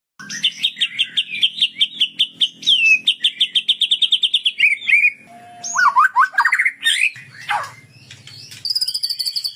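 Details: Sunda bulbul from Cililin, singing in the continuous 'tembak sambung' style: a fast run of sharp repeated chirps, then slurred, rising and falling whistled phrases and a higher buzzy trill at the end, over a faint low hum.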